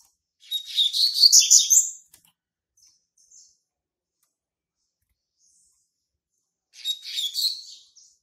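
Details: A young male Double-collared Seedeater, born March 2019, asserts its territory with two short, fast, scratchy twittering bursts of high notes about five seconds apart, separated by near silence with a couple of faint soft chips.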